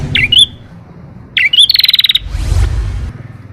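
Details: Canary song fragments for prompting lazy canaries to sing: two short twisting whistled notes, then a quick buzzy trill and a noisy burst, over a low background rumble.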